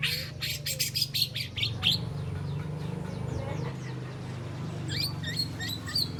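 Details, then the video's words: White-rumped shama juvenile, three months old, practising rattling besetan and sharp shots; a burst of harsh, rapid buzzy strokes opens, then quieter faint notes and later high, thin chips, over a strong low hum. "Murai Batu Trotol Jahat Usia 3 Bulan Belajar Bongkar Isian Besetan & Tembakan Tajam"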